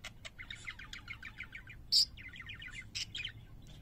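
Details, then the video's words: A parakeet's soft warbling twitter of fast repeated notes, interrupted by one loud sharp squeak, then more twittering and a closing chirp. "Singing Parakeets"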